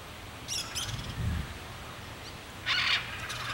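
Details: Crested caracara making a few short, harsh, scratchy calls with a louder grating burst near the end, against a constant low hum.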